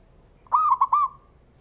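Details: Male zebra dove, called perkutut locally, whose call is used to provoke other doves into singing. A quick run of three mellow cooing notes, the first swelling and the last trailing off, over a faint steady high electronic whine.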